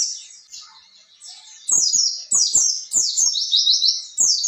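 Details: Oriental white-eye song in the 'ngalas ngerol' style, used as therapy to prompt untrained birds to reply: a faint high opening, then loud rolling runs of falling buzzy trill notes, with low thumps underneath.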